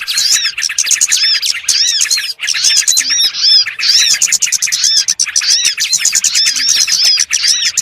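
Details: Small birds calling together for trapping: rapid, shrill twittering with repeated arched notes and sharp chips, many birds overlapping in a steady stream broken by a few brief gaps.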